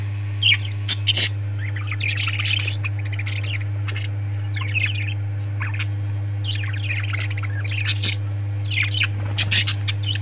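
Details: Pet budgies in a home setting give scattered high chirps and short squeaky warbles in clusters, with clicking sounds and a constant low hum behind.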